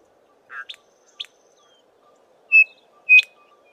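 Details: Foraging group of Chinspot Batises in tall Acacia trees; two soft, harsh notes, then two loud, level whistles about half a second apart, the last ending in a sharp chip.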